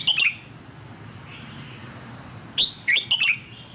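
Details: Red-whiskered bulbul, a wild-caught bird just bought, singing the Sông Kon style: a quick whistled flourish at the start, a quiet gap, then a lively phrase of several bright, bouncing whistled notes.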